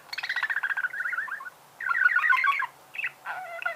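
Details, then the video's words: Budgerigar singing: a chattering warble of fast clicks and buzzy notes, pauses, then bursts of rapid twittering with short whistled phrases. "Пение волнистого попугая"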